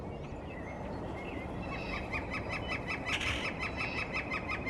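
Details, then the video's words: A male Northern Flicker sings a steady series of sharp, high notes, about three a second, over heavy rushing background noise: a spring territorial song given from the top of a tree while establishing a breeding territory. "Northern Flicker Woodpecker Territorial Call"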